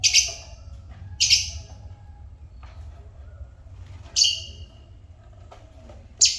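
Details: Four loud, high, rasping chirps from African lovebirds, spaced one to two seconds apart, each a brief harsh burst, with a quiet steady hum and faint clicks between calls.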